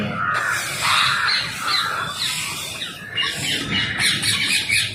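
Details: Wild rose-ringed parakeets gathered while being fed, a crowd of harsh, screeching squawks overlapping continuously, with sharp rising and falling notes and no pause between callers.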